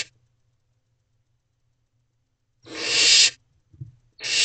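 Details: Young barn owls in a nest box in the early morning darkness, 1 May 2023: long quiet gap, then a harsh breathy hiss, a soft brief sound, and another hiss starting.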